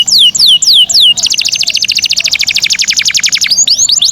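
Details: Canary singing to bring on breeding condition: a few sweeping whistled notes, then a long rapid buzzy rolling trill, ending with rising slurred notes.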